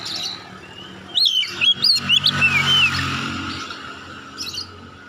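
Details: Oriental magpie-robin winning first place in a singing competition, giving a brief burst of sliding, whistled notes and chirps against steady low traffic-like rumble, then quieter faint notes.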